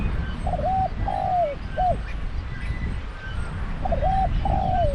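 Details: Decoy spotted dove calling during dove trapping: low, hoarse three-part coos, a short double note, a long downslurred phrase and a clipped final note, given twice with a pause between, over steady low rumbling background noise.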